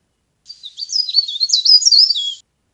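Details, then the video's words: Leaf warbler (cikrak daun) lure recording for bird trapping: a soft start building into a two-second stream of high, rapid, twisting whistled notes, growing louder toward the end, with a clean, quiet background. "CIKRAK DAUN GACOR | CIKRAK DAUN PIKAT | SUARA PARE PARE GACOR"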